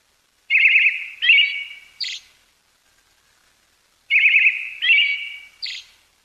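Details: A wintering Brown-headed thrush in Pingtung County, Taiwan, on 20 December 2022 gives two matching phrases about two seconds apart, each a buzzy trilled note, a drawn-out whistle, then a thin high note.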